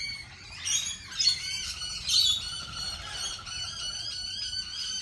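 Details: Lorikeets at a cafe, a flock calling together: harsh, buzzy squawks with bright overtones overlap continuously, with louder bursts near one and two seconds, over a steady chattering background.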